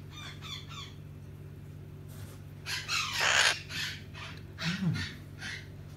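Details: Hahn's macaw, a pet, enjoying scratches before bed. It makes a few scattered harsh squawks, one louder and longer rasping call in the middle, and a short low vocal sound just after, over a faint steady hum.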